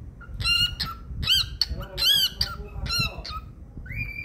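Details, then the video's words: A happy pet cockatiel giving loud, harsh, rhythmic squawks in a quick series indoors, finishing with a rising whistled note. "Someone is so happy singing"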